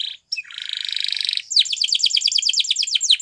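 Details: Timbrado canary from Spain singing a training song: a brief note, a long buzzy rattling roll, then a rapid train of descending chirps.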